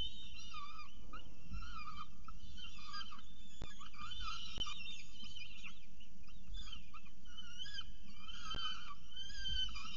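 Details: Peregrine falcons at the nest at Orange during the first feeding of the day, 6:36 am on 21 October 2018: repeated wavering, whiny calls in short drawn-out notes, over a constant low rumbling hum with a few sharp clicks.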